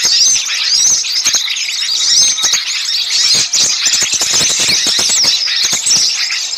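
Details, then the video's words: A lure recording for catching small birds, full of noisy flock chatter: shrill overlapping twitters and thin whistled slurs pour out continuously, with frequent dry clicks underneath. "suara pikat burung kecil ribut"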